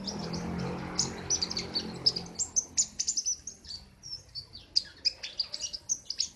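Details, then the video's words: Sharp, loud besetan song of a king konin: after a soft murmur, a quick series of high piercing chirps and short trills that keeps going without pause. "Burung "KING KONIN" Trotol Ngerol Abissss Besetan Mantap"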